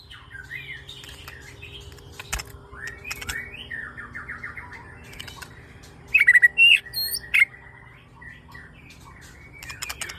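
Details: Murai batu lure song for training young captive shamas to sing more: soft rambling warbled phrases over a steady low hum, broken by a loud burst of sharp whistled notes midway.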